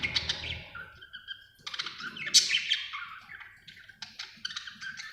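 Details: Contented budgie chattering happily, mixing fast scratchy twitters, short sliding whistles and clicks in a rapid, uneven warble that rises and falls without pause.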